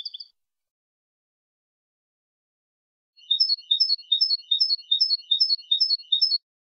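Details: European goldfinch clean contest song, Málaga 2020 training copy: a brief twitter, a pause of nearly three seconds, then a steady, rhythmic run of repeated tinkling double-note figures lasting about three seconds.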